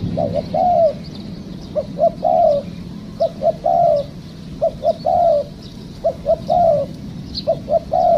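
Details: Spotted dove heard during decoy trapping that caught a wild bird; steady run of phrases, two short notes and a falling coo, repeated roughly every second and a half over low hum.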